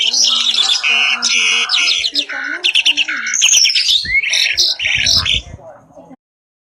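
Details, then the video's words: Richly varied song from a pair of Asian pied starlings: busy chattering and squawking phrases with a rising whistle near the fourth second, ending abruptly. "Burung "JALAK SUREN" Super Gacor 1 Pasang Mantap !!!"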